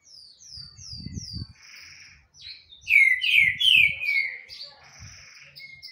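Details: Green-winged saltator singing hard, with three thin descending notes leading into loud rolling whistled phrases, alongside low thumping noises.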